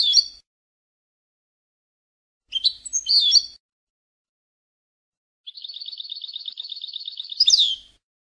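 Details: European goldfinch song from a song CD: short bursts of bright twittering notes between pauses, then a rapid buzzy trill held about two seconds ending in a sharp upward flourish, clean with no background.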